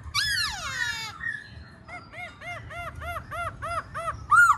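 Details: Song of a black-throated laughingthrush: a strong rich downslurred whistle, a brief soft note, then a steady run of ringing arched whistles, each rising and falling, ending on a bright high note.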